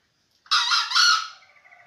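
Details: Young green junglefowl, seven months old, giving a single rasping two-note crow that starts abruptly, holds a broad harsh tone, then fades into a thinner trailing note.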